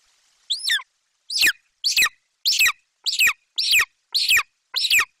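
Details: Golden eagle chick calling loudly in Bucovina as its mother brings a Eurasian magpie; a clean descending first scream, then seven harsher, piercing screams at a steady pace of about one per second.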